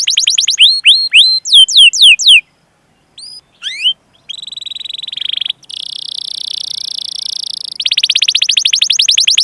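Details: Singing canary used as a lure for other canaries. Quick descending cuit-cuit chirps and a few rising whistles come before a sustained buzzy passage and a final fast, loud rolling trill.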